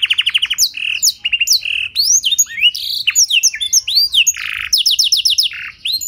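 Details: Canary using blackthroat-like phrasing as a singing tutor: opens with a fast rolling trill, then mixes buzzy bursts, sweeping whistles and rapid repeated chirps in a continuous bright stream.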